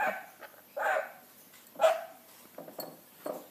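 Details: Rainbow lorikeet copying a barking dog, giving a few soft, hoarse, mid-pitched barks spaced irregularly about a second apart, with quieter yips between them in a small room.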